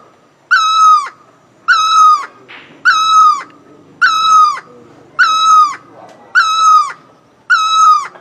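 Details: Singing great Asian barbet gives seven loud, nasal, evenly spaced notes in eight seconds, each steady then falling at the close, with a brief rustle partway through and a faint low background.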